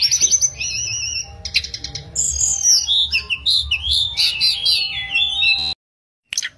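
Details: Energetic song from a mangrove blue flycatcher in the wild: high sweet warbled phrases that weave up and down, then a sudden break into silence before one last short note.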